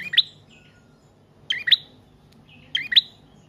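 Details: Used as a lure and a training model for cage birds, a prinia gives clipped two-note chirps in three evenly spaced bursts, with quiet gaps between them.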